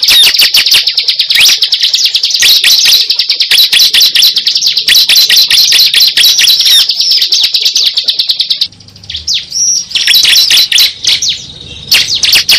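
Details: Cible used as a trapping lure: a long, fast, steady train of high, scratchy chirps, roughly two per second, then a pause and a few scattered whistled slurs and chirp bursts.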